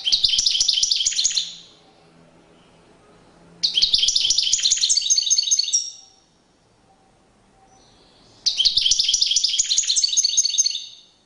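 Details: European goldfinch singing in courtship display, three long bursts of dense, buzzy, fast-twittering song roughly every four seconds, separated by quiet pauses with faint room noise.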